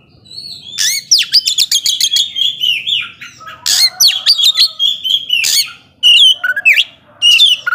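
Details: Energetic Oriental magpie-robin song said to stir up rival birds; rapid series of sharp chips and swooping whistles, repeated in several bursts separated by brief gaps.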